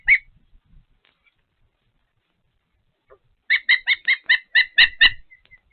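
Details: At a Patuxent River Park osprey nest during feeding, one sharp chirp, then a pause and a quick burst of about eight whistled, slightly squeaky notes in a row.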